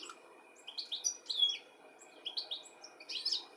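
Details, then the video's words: European goldfinch in the UK, 13 July 2017, calling as it looks for its young; clear high twittering notes in two or three quick groups, some with sharp descending slurs. "Goldfinch calling and lookink for his baby"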